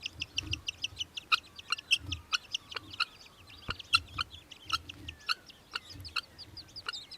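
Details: Australian hobby, Victoria, Australia, December 2023: a steady run of quick, high, clipped notes with a few louder accented ones, over soft low rumbling and some faint sliding whistles from other birds.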